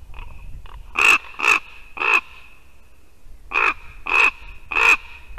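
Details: Ravens calling at a Latvian white-tailed eagle nest on the morning of 2 December 2019, harsh croaking caws in two bursts of three about half a second apart, faint hum; the female eagle then drove a raven off.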